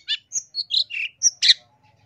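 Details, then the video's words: Long-tailed shrike masteran, persistent song full of fill-in phrases, recorded to teach caged birds and lure wild ones: a short series of clear whistles and buzzy slurred notes ending in a harsh burst. "MASTERAN CENDET GACOR FULL ISIAN"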